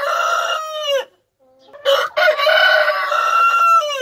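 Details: A domestic rooster's crow: the tail of one drawn-out, raspy call falling at its end, a brief silence, then a stuttered start into a second long, loud, strained crow lasting about two seconds.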